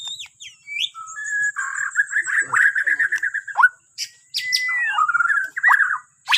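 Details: Borneo white-rumped shama singing, a recording meant to prompt other birds to sing in the morning: varied whistled phrases around the middle pitch, rapid warbled runs and a falling slurred note, with short pauses and a steady high-pitched whine behind.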